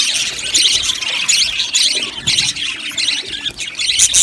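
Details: Budgerigar colony in an aviary, loud overlapping chirps and warbling trills in quick bursts, many birds calling at once.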